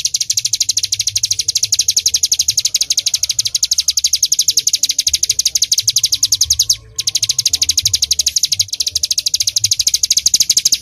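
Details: Bar-winged prinia in full 'tembakan' burst song: an unbroken train of sharp, high, buzzy chips, about five per second, with one brief break partway through and a faint low hum beneath.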